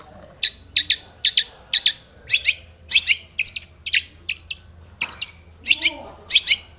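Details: Long-tailed shrike, agitated and looking for a rival, giving harsh, scratchy, high-pitched rasps in an irregular series of about two per second, with faint softer notes between them.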